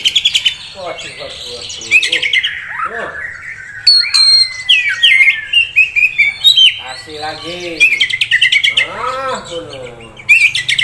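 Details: Oriental magpie-robin, a keeper's contest-prospect bird, pouring out a varied song of high whistles and trills, with lower slurred squeaky notes and harsh rasping phrases woven in, continuing in lively bursts.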